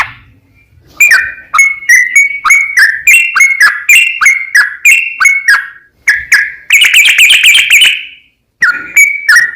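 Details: Sooty-headed bulbul singing a long rapid series, used to draw other bulbuls into song: a quick sequence of ringing whistled notes, then a dense trill-like burst near the end, with short pauses.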